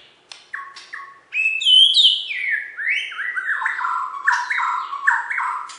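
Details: Prize-winning Bornean white-rumped shama in West Kalimantan: a few clicks open a loud, fluty run of stepped, descending whistled phrases with quick rising inflections, repeated several times a second.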